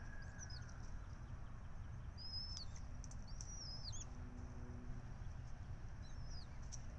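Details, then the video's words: Red-tailed hawk nest at Syracuse University during feeding on 12 May 2024, from a nest camera: thin, high, slurred calls in short groups with downward hooks, set against a low continuous hum and a few soft clicks. "Syracuse University Hawk- Jastrzębie czerwonoogoniaste"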